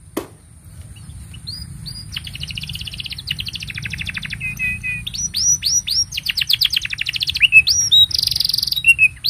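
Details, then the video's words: Canary in full song, a master recording for tutoring young birds and coaxing mute canaries to sing: quiet opening, then rapid rattling trills, looping upswept whistles and buzzy bursts building in loudness, over a constant thin high tone. "Kenari Gacor Panjang Ini Bagus Untuk Masteran Kenari Paud Dan Pancingan Kenari Bisu"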